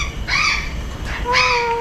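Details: A friendly Salmon-crested cockatoo at a large bird park in Singapore, on February 14: a pair of grating, noisy squawks roughly one second apart, the later one ending in a sustained, even tone, with faint crowd noise behind.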